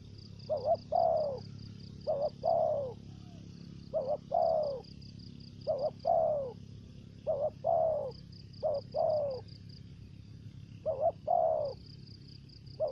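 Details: Spotted dove decoy singing in the thổ dế voice, including dập and mai rừng variants. About nine rhythmic coo phrases, each a brief doubled note then a long downward coo, over an intermittent high pulsed trill.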